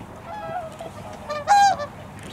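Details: Whooper swans wintering in Korea in a flock at a wetland or river; a few quieter nasal honks are followed by one loud, clear trumpeting honk with a ringing, brassy tone near the middle.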